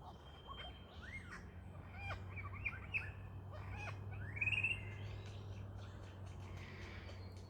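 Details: A lyrebird, recorded on a walk, gives a quick run of varied whistled and slurred notes, then a loud rising sweep, over a steady low hum.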